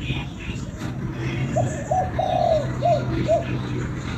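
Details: Spotted dove from Vietnam, kích bổi call: two short coos, a drawn-out level coo, then two quick curved notes, all mid-pitched against constant low-frequency hum and faint distant voices.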